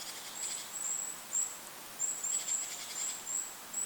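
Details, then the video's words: Goldcrest in forest beside a lake, giving a series of tiny, needle-thin high notes in quick clusters, with soft breathy wind noise behind. "Goldcrest bird call in the forest! Goldcrest call with wind noise in the background."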